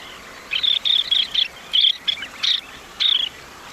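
Baird's Sandpiper giving dry, rolling trilled notes, high-pitched and quick, in a loose series of about eight short bursts with a faint steady hiss behind.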